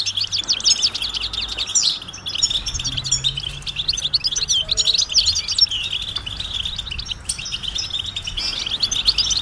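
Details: Busy, high-pitched twittering and trilled chirps of European goldfinch mating calls, used to end a male's silence and spur song, running without pause over faint low background sounds.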